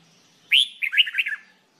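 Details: Red-whiskered bulbul being trained to sing: one short, lively phrase, a loud upslurred whistle dropping into five or six quick, liquid warbled notes lasting about a second.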